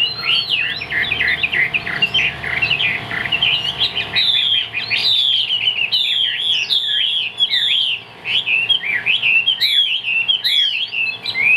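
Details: Long, powerful song of a caged Chinese hwamei in Vietnam: continuous rapid sequence of looping, slurred whistles and varied warbles, rising and falling throughout.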